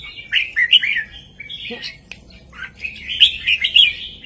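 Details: Singing red-whiskered bulbul, southern master song played for young birds to learn: quick rising chirpy notes, a brief lull with a low thud, then a bright bubbling warble to the end.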